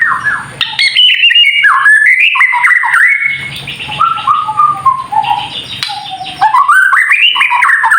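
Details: Kretekan song of a white-rumped shama, played to provoke other birds into singing: rich whistled phrases sliding up and down, harsher rasping passages midway, then rising whistles, over a constant high faint tone and some low rumble.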